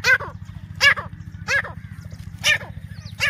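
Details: A grey francolin call played to attract birds for hunting gives strident, grating notes, each falling in pitch, at roughly one-second intervals over a constant low pulsing hum.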